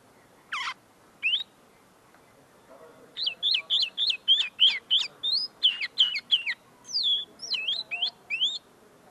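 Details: Tame linnet whose song is not yet finished, singing at close range: two opening chirps, then a lively run of rapid, repeated twittering and rising whistled notes.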